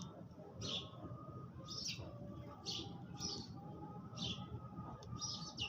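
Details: Sparrows chirping while eating their food in the early morning: short, bright chirps, about eight spread over six seconds, some in quick pairs, over a steady low rumble.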